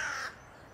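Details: Eurasian bullfinch (Pyrrhula pyrrhula) in Tivoli Landscape Park, Ljubljana, on 29 January 2024, giving a single soft, low piping note, slightly falling and under a third of a second long, then quiet background hiss.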